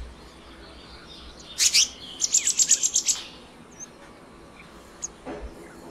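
Black-naped monarch giving a fast run of about seven sharp, high, ringing notes after a brief opening burst, over faint background hiss.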